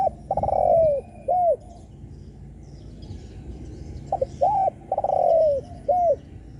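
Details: Spotted dove coos used to provoke other doves: two similar phrases, each a long, loud, downward-sliding coo bracketed by short arched notes.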